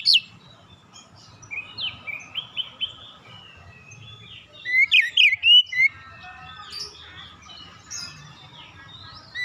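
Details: Oriental magpie-robin in relaxed song, used as a lure to get young birds singing quickly: scattered high whistles, then a loud burst of five or six sweeping, rising-and-falling whistled notes midway, with a faint low hum beneath.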